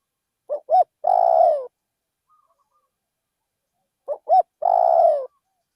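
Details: Decoy spotted dove in a rice field in Thailand: two full coo phrases about three and a half seconds apart. Each has two quick short hoots and then a long, vibrating coo that trails downward. Otherwise quiet.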